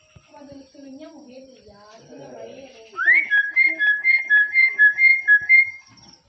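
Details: A myna said to be greeting people: low murmured voices first, then a bright whistled two-note phrase repeated about every half second, rising then dropping, about a dozen times before stopping.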